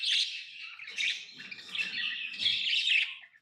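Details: Tamed lovebirds keep up a dense, continuous buzzy chirping with shrill peaks, over faint low scraping sounds.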